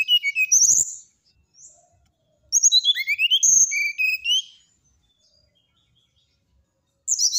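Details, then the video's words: Brown-chested jungle flycatcher singing runs of high whistled notes that slide down and rise again, two main phrases about two seconds long with a pause between. "SATU SATU NYA SRDC NYULING BIKIN EMOSI SRDC TETANGGA,SIKATAN RIMBA DADA COKLAT"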